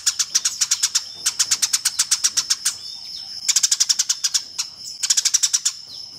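Eurasian tree sparrow giving quick bursts of sharp, high chirps, about ten a second, in four runs separated by brief pauses.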